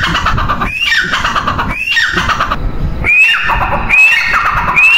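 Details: Female grey francolin calling: piercing rising whistles with lower, falling overtones, repeated about once a second against fairly heavy background noise.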